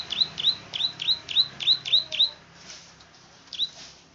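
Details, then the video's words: Klik-klik bird of the rice fields, a plain prinia, rattling off eight rapid high rising clicks, evenly spaced, then falling quiet before one last click. "Burung KLIK-KLIK GACOR / BURUNG SAWAH"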